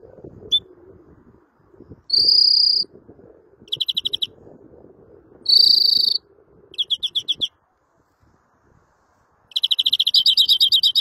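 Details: Singing greenfinch alternates drawn-out nasal buzzes with rapid rattling trills, separated by short pauses, and ends in a long fast trill; faint low murmur underneath.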